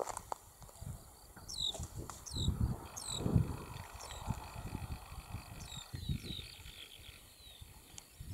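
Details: A corn bunting family, the adult probably with its young, in a region where the species was not seen before, gives short, thin, high ticking calls in scattered bursts over a steady low rumble of wind.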